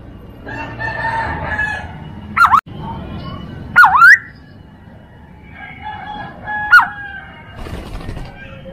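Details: Chinese hwamei song used as a tutor recording for training other birds: three loud, separate whistled notes sweep down and then up. A low murmur and faint layered chatter run underneath.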